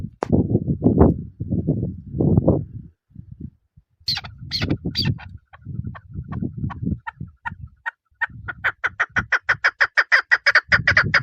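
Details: Female chukar partridge: after several seconds of loud low rumbling and scattered higher notes, a rapid, regular volley of sharp clucking chuk calls takes over near the end.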